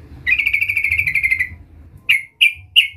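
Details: Sooty-headed bulbul call used to bring out a rival: a fast, steady buzzy rattle of about a second and a quarter, followed by three sharp separate downslurred chips.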